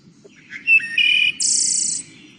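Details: A Wood Thrush, a woodland bird with the song mnemonic "Ee-oh-lay", sings one phrase: soft low notes, then clear fluted whistles, ending in a high, shimmering trill. A faint low hum runs underneath.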